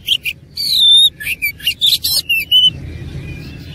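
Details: Oriental magpie-robin singing aggressively in fighting mode: a sustained whistle followed by a fast series of harsh buzzes and twisting whistled notes, then a faint trailing whistle over quiet background.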